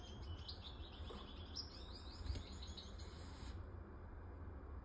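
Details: An aqua-blue Scarlet-chested parrot from a pair in an aviary, preparing to nest, gives a run of soft, high twittering chirps for about three seconds, then falls quiet over a steady low background rumble.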